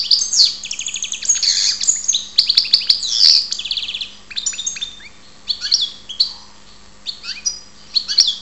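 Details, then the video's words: Karderina, the European goldfinch, recorded in Ptolemaida, Greece: rapid tinkling twitter and buzzy rattles in a long phrase, then sparser sharp chirps and short slurred notes after a brief lull. "karderina Goldfinch"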